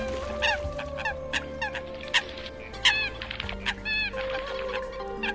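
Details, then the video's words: Eurasian coot giving short, sharp, nasal notes in irregular bursts, a few curving upward, over a steady low hum and faint background tones. "tiếng chim sâm cầm"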